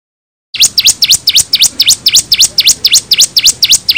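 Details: Bar-winged prinia song used as a lure: after a moment of silence, a quick series of sharp V-shaped notes, each dropping then rising steeply, about four per second.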